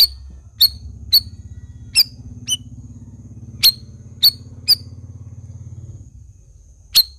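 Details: Black-crested bulbul (cucak rawis) singing actively, giving bright, sharp chip notes at irregular intervals over a steady low engine rumble that fades out near the end.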